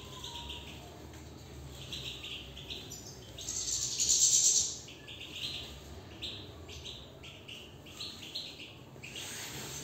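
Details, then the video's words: Caged European goldfinch singing a long twittering song of chirps and trills, broken midway by a loud, rushing burst of noise, then resuming with sparser notes. "نبدة من انسجام و تغاريد للحسون من داخل السلاكة"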